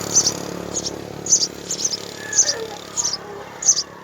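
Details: House sparrow young at the nest while mother and father feed three chicks: thin, high chirps in a loose series, some in doubled bursts, with faint lower whistled tones in the background.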